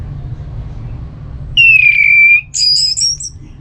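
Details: Orange-headed Thrush (Geokichla citrina) singing in a continuous 'ngeplong' style: a long, clear, slightly falling whistle followed by a quick series of higher, ringing notes, over a low background hum.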